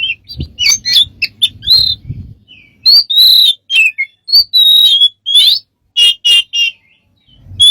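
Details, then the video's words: A smart bird with many strange sounds mixes short chirps, clear slurred whistles and harsher buzzy notes in irregular bursts, with some low rumbling background noise early on. "smart bird have lost of strange sounds"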